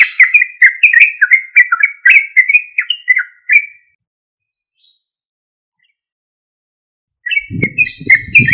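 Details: Yellow-vented bulbul, singing loudly as a lure to make other bulbuls respond: four seconds of quick bubbling phrases, a long silence, then chatter with a low rumbling thump.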